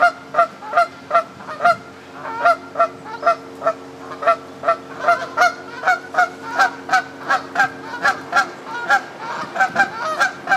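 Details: Wild Canada geese on the South Pond at Midhurst, West Sussex, England, keeping up a long, steady series of loud nasal honks, more than one bird, roughly every half second and growing busier toward the end.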